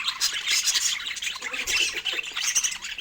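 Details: Pet budgerigars enjoying fruit produce a busy, harsh warble of squeaky chirps and short whistles without pause.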